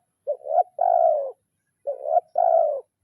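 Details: Spotted dove calling out a challenge to a rival, giving two phrases in the kuk 0-1 pattern: a short clipped note rising into a second note, then a sustained smooth coo.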